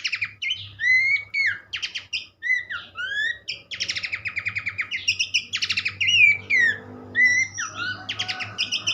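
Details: Horsfield's babbler (pelanduk semak) in lively song, played to get other birds singing: rising whistles and rapid repeated chattering bursts over a steady low hum and some background noise.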